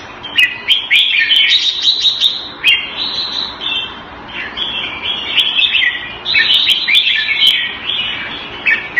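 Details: Caged red-whiskered bulbul kept Thai style in Singapore, February 2018, sings phrase after phrase of bubbly, chirping warbles, with a quieter stretch midway and frequent sharp clicks.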